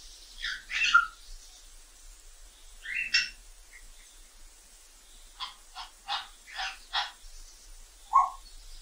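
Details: African grey parrots in the wild: harsh, broadband squawks in short bursts, a series of rapid raspy notes, then a single clear whistled note near the end, separated by quiet gaps.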